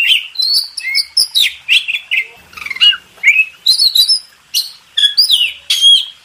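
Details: Master song of an Oriental magpie-robin for training contest birds: clear high whistles, quick chirps and rising and falling slurred notes delivered in short, separated bursts over about six seconds.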